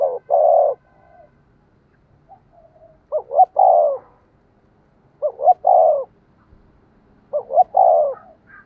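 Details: Caged decoy spotted dove calling to provoke and lure wild doves: three low cooing phrases about two seconds apart, each two quick short notes then a longer, fuller drawn-out coo, with soft murmuring hums between.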